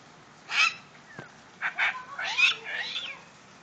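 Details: Female medium sulphur-crested cockatoo kept as a pet, calling happily after seeing rain: a loud harsh screech, then a short double squawk and two drawn-out grating, noisy screams with bending tones.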